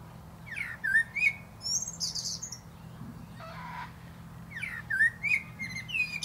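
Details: Atop a plum tree, a male common blackbird sings two mellow fluting phrases, each sliding whistle ending in high scratchy twitters, separated by a brief lull.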